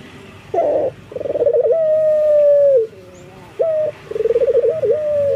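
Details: Male collared dove, local Indonesian bird in breeding condition calling females: a short burst, then a pulsing trill stretching into a long smooth coo, followed by a clipped note and another trill.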